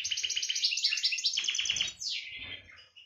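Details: European goldfinch singing in breeding season 2018, a fast liquid twittering of high tinkling notes run together, ending in a descending slurred phrase and a few softer notes.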